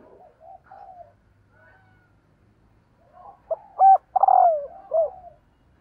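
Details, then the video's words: Female spotted dove calling to excite males: soft low murmurs, then a loud burst of short coos, a stuttering rattled note and a final falling coo near the end. "CU GÁY MÁI KÍCH TRỐNG"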